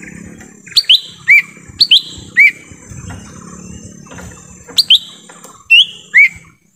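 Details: Lesser green leafbird recorded in a forest as a lure for wild birds: loud, slurred whistles in twos and threes, some sweeping up and others falling, in two bursts with a quiet gap between.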